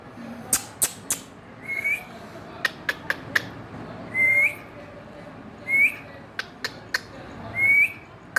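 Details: Indian ringneck parrot repeating short clear whistles, each level then flicking upward at the end, four times roughly every two seconds, mixed with scattered sharp clicks and taps.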